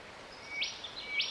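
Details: Cicadabird in Victoria, Australia, January 2024, giving two quick harsh buzzes roughly 0.6 seconds apart; a thin steady tone runs into each burst, with quiet ambient hiss behind.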